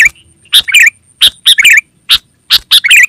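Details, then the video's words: Sooty-headed bulbul, or kutilang, calling for luring wild birds and training caged birds; spaced single harsh chirps each followed by a quick liquid bubbling phrase, pattern repeated three times, faint steady high whine. "Suara Burung KUTILANG GACOR Terbaik Untuk Panggilan dan Masteran"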